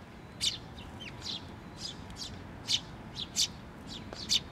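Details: Bird chick calling from atop a post at a Tenmangu shrine on 16 May 2023 as its parent returns; sharp, high chirps in irregular bursts, about seven over four seconds, some paired, over a low background hum.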